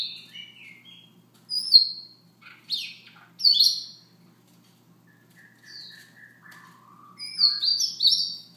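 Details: Siberian rubythroat's soft morning song: varied high whistles, harsh scratchy bursts and lower sustained whistled notes, delivered in irregular phrases over about eight seconds.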